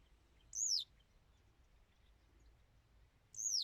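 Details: High, clear descending whistled notes from a Western yellow wagtail, one at the start and another near the end, nearly three seconds apart, over soft hiss.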